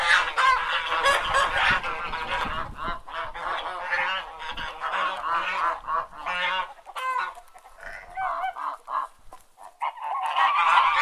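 Domestic geese honk in a busy, overlapping chorus of nasal, braying calls, several each second, with chickens clucking in the background.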